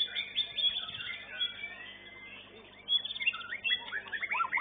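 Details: At a bird-song competition arena, a young white-rumped shama delivers long slurred whistles, then a burst of quick stuttering notes and sweeping phrases, with other contest birds and a low hum behind.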